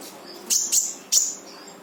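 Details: Brown-throated sunbird in full tembakan song, used to spur a quiet bird into singing: three quick, piercing high chirps in under a second.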